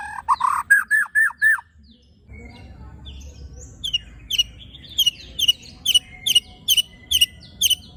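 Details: White-rumped shama song of coarse 'tembakan' and 'besetan' fill, meant to provoke other shamas: a quick row of five loud rising whistles, a pause, then sharp high chips repeated about twice a second over faint low background noise.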